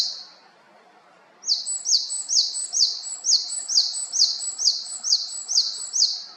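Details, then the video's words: Japanese tit from Haenam: after a short quiet spell, a long, evenly paced run of about twelve clear, high, two-part phrases, loud and ringing, repeated quickly without break. "박새의 다양한 소리"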